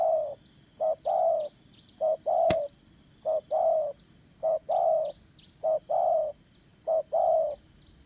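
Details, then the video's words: Decoy spotted dove with a 'Đồng Son' voice for 'dán cổ' trapping, repeating low soft coos in short-long pairs, about seven pairs, one sharp tap heard early, high insect buzzing throughout. "Bẩy Cu Gáy Dán Cổ, Giọng Đồng Son"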